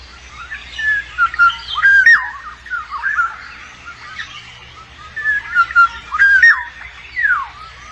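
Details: Black-naped oriole while raising chicks: mellow, fluting whistles and slurred notes repeated over several seconds, with a steady low hum beneath.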